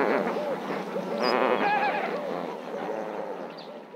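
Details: Marievale lesser flamingos: rapid series of short, nasal, bleating honks repeated several times a second over a murmuring flock chorus, with a brief higher squeal near the middle.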